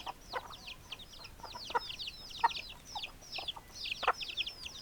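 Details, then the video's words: Chickens giving many high, thin, downward-sweeping peeping notes in a busy overlapping stream, with a few lower, harder clucks mixed in. "Chicken Sounds Noises Hens Clucking Roosters Crowing"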